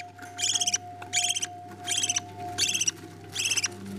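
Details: Budgerigars feeding chicks. Five rasping begging bursts come at even intervals, each made of rapid stuttering pulses, with a faint steady tone and room hum in the background.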